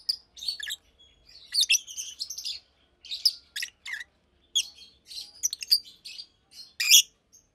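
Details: Two adult caged Fischer's lovebirds, almost two years old, one pastel green and one blue with a white head, chirping and singing during the day: bursts of high, scratchy chirps and squeaky notes separated by short pauses.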